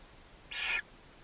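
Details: Barn owl family in Ságvár, Hungary, May 4, 2024, with the mother feeding seven owlets in a chimney-mounted nest box. One short, harsh screech with a slightly tonal core stands out against quiet background.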